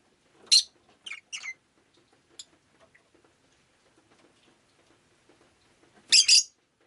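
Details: Pet rosy-faced lovebird on a rainy day giving a quick burst of three squeaky chirps, then near silence with faint ticks, and a loud double screech near the end.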